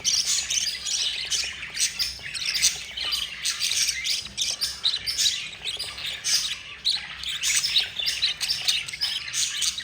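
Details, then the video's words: Begging of four young budgerigars as their yellow mother feeds them: insistent wheezing, scratchy squawks pulsing in uneven waves, high and buzzy, carrying on steadily. "yellow mother budgie feeding her four babies"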